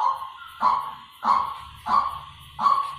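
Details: Waterhen used as a decoy calls five hoarse, abrupt notes, spaced regularly about two-thirds of a second apart, over a soft low rumbling background.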